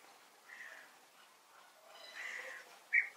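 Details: European bee-eaters trade soft, burry, rolling "prüt" contact calls, one answering another to signal all is in order: two faint calls, then a sharper, louder note, over a quiet hiss.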